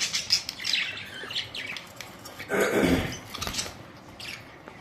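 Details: Budgerigars, colourful parrots recorded April 19, 2023, giving high chirps and warbles, with a lower, broader burst of sound near the middle and softer calls afterward.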